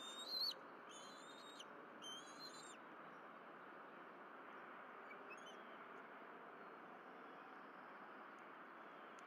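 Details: Bald eagle at the Berry College nest on 12 April 2023, amid fish deliveries and feeding; three sharp high squealing calls in the first three seconds, then only a steady hiss for the rest.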